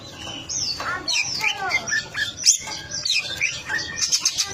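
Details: Long-tailed shrike singing a busy, varied medley of sharp whistles, sweeping slurred notes and chattering phrases in quick irregular bursts, with faint voices in the background.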